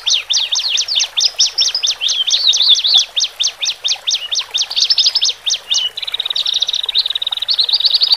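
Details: Male and female Horsfield's bush larks singing, played to help newly separated caged birds settle: fast, sweet song of rapid chirping notes, about four per second, jumping between high pitches, then a steady run of thin twittering trills.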